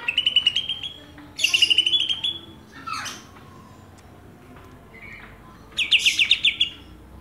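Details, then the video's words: Greater green leafbirds from Banyuwangi and Kalimantan compared by their song fill: bright trilled bursts of rapid high notes, each phrase lasting under a second, separated by pauses, with a descending swept note midway. "Bongkar isian, Cucak Ijo Banyuwangi vs Cucak ijo Kalimantan"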